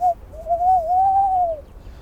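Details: A Tawny Owl, a chick a few days old found in a factory yard in March, calls during its normal daytime sleep: a brief soft note, then a long, mellow, wavering hoo that rises slightly and fades, with faint room hum.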